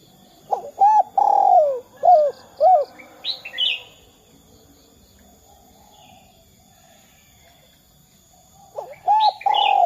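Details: Cooing spotted dove, meant as a lure to get other doves calling: a burst of short, bent coos with one drawn-out note, a higher chirp from another bird, several seconds of quiet hiss, then coos resume at the end.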